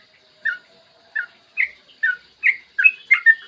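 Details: Bulbul lure song, yellow-vented bulbul recorded in the morning: spaced single chirping notes that come closer together and pick up pace toward the end, turning into a quick bubbling run.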